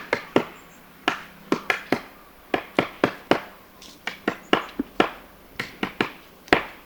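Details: A great spotted woodpecker hammers at a pine cone to get at the seeds: sharp, dry knocks in irregular bursts, about three per second, with short pauses between runs.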